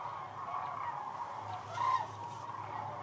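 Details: Several hundred thousand sandhill cranes on the Platte River at night, at the peak of their northern migration, making a dense, unbroken chorus of rolling, trumpeting calls, with one nearer bugle swelling briefly above the din.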